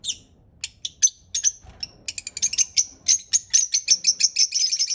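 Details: Parrot chirping: high, sharp tweets, sparse at first, then quickening into a fast, fairly steady series of repeated chirps.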